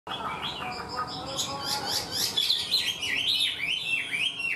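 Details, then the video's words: Wild-caught Chinese hwamei, kept caged and quick to sing, delivering a structured song like a tame bird. A quiet start gives way to loud, rapid whistled phrases with sweeping upslurs and downslurs, and low voices murmur underneath. "Họa mi mộc mau mỏ hót bài bản như chim thuần"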